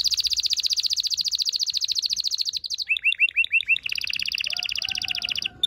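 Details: Continuous canary song for stimulating mating: a long rapid high trill, a row of six deeper looping chirps, then another even fast trill with a faint low whistled line beneath.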